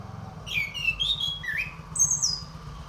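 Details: Orange-headed thrush song from a recording played to stimulate other birds into singing: varied slurred whistles rising and falling, a lower swooping note, then a high descending whistle, with a steady low hum underneath.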